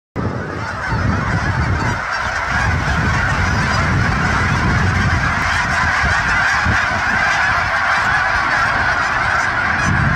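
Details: A flock of geese taking off: a dense, unbroken chorus of honking, many voices overlapping into a steady clamor over a low rushing roar of wingbeats and air.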